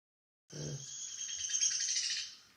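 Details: A Downy Woodpecker in winter at Sutton, Québec, gives a high, fast rattle of squeaky notes lasting about two seconds, opening with a faint low knock.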